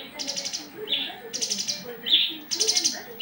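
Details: Javan bush lark in breeding condition, courting another lark. Quieter passage alternating dry, buzzy rattles with short, clear whistled notes, repeated in a loose rhythm.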